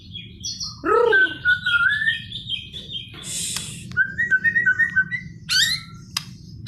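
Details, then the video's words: White-rumped shama singing in the energetic, nonstop 'ngegas gacor' style, giving a melodious run of phrases: a loud rising-falling whistle, sliding clear whistled notes, a brief buzzy burst, then a quick series of pure repeated whistles and high sharp notes. "Murai batu ngegas gacor"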